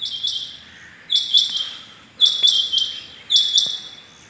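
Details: Rain quail calling at dawn, 6.7.21, local name chingy bateer: loud, ringing two-note phrases repeated steadily about every 1.1 seconds, each note sharp and metallic.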